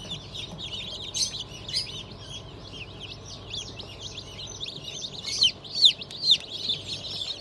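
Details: Fresh hatch of chicks, turkey, Sebright, Sussex and Australorp, dated 31 May 2023: many birds giving sharp, high, rapid peeps, roughly two or more a second, with several louder piercing cheeps near the end.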